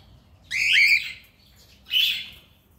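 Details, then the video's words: Two loud, harsh squawking calls from playing cockatiels, the first longer and wavering, the second shorter, recorded as companion sound for a single bird. "Cockatiels video and sound // best companion for single Bird//"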